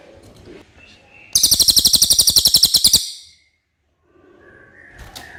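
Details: Common iora with a clear song suited for tutoring white-rumped shamas: faint background sounds, then a bright high trill of quick regular pulses for under two seconds, followed by silence and soft noise with a thin whistle.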